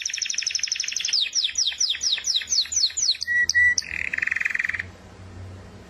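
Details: Canary song: a rapid trill gives way to repeated down-slurred notes, two brief flat whistles, then a buzzy lower rattle before the singing stops.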